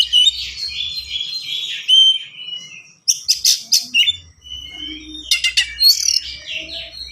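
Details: White-rumped shama singing a fast, varied song meant for tutoring and prompting young birds: long warbled whistled phrase, then loud buzzy bursts and scattered twittering notes, faint low hum behind.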